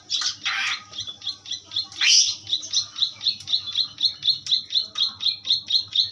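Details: Asian pied starling tutor song: a fast series of sharp high chips repeated about four times per second, opened by a few harsher rasping notes, with a faint low hum beneath.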